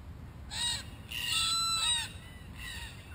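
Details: Wild red-tailed black cockatoos in Australia, a group exploring and damaging a hidden camera: three harsh, grating, harmonic calls in about three seconds, each roughly half a second long, with a low background rumble.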